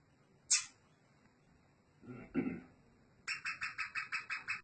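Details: A Sindhi black francolin calling while perched on a person's hand: a sharp high note, a rough low burst, then a fast run of about nine evenly spaced harsh clicking notes.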